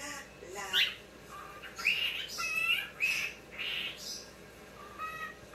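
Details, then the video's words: Pet cockatiel, a talking male, indoors in low light reacting to seeing himself on screen; series of clear whistled notes and short squawky chirps, some rising, spaced about a second apart. "A Talking Superstar"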